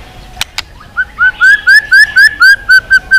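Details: Singing white-rumped shama kept for voice training and song duels: after two sharp clicks, a steady run of about ten rising whistled notes repeated roughly every quarter second.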